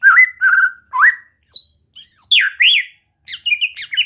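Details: White-rumped shama (murai batu) in a training session meant to make it sing: wavering whistled notes, then higher, brighter swooping phrases, ending in a quick jumble of short notes.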